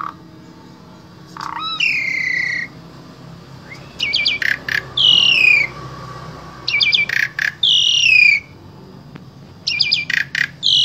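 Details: Asian pied starling from Wonosobo, Central Java, Indonesia, singing as a vocal tutor for other starlings: bursts of clicks alternating with long descending harmonic whistles, each phrase repeated roughly every three seconds over a low hum.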